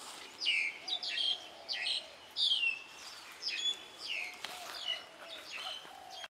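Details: Morning bird chorus at a farm in Mae Suai, Chiang Rai province, Thailand: clear, high, slightly slurred whistled phrases repeat roughly every half second to second against a soft background of more distant twittering.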